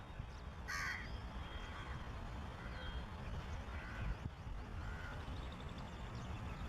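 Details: A crow making noise that suggests a shikra is nearby preening its feathers gives one loud, harsh caw, then three fainter caws about a second apart, over a steady low rumble of wind or distant traffic.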